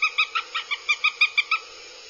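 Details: Northern goshawk chicks behaving aggressively at a nest in Abernethy, Scotland, 2022, picked up by a live nest camera: about ten loud, harmonic, slightly nasal calls in a quick, evenly spaced series, then quiet hiss.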